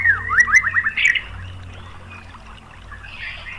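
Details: White-rumped shama (murai batu) song used as a lure to set other shamas singing: a quick burst of sharp, repeated chattering notes in the first second, then only faint sound.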